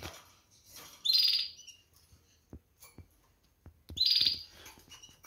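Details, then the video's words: Canaries: two loud, fast pulsed trills about three seconds apart, each short and bright, separated by faint chirps and light clicking sounds. "Canarini | Ascolta questo cinguettio"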